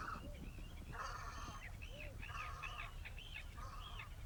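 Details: Velvet scoters at Liepāja, Latvia, March 2024: short harsh nasal bursts mixed with arched, slurred whistled notes from several birds, over a steady low rumble of wind or surf.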